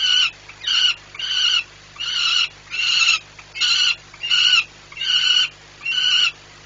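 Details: Morning recording from 2 July 2017 at the Orlen plant, Płock, Poland: a male peregrine falcon, watching flights, yells in a fairly regular series of about nine harsh, rasping, harmonic calls.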